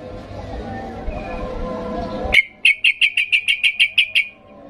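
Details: Worked-up sooty-headed bulbul calling to provoke other birds to answer; after a murmur of background voices and noise, a fast series of about ten sharp, evenly spaced chirps rings out.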